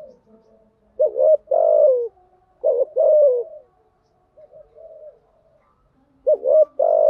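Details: Spotted dove decoy-calling to stimulate other doves, in the urging and calling coo styles: soft hoots, then three bursts of loud, low coos, each a short note leading into a held, slightly falling note, separated by quiet gaps.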